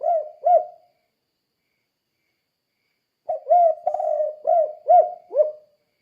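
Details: Spotted dove, known locally as tekukur, in "kuk 2" calling to train other doves: the tail of one phrase, two seconds of silence, then a full six-note coo with a long rolling note and a short clipped ending.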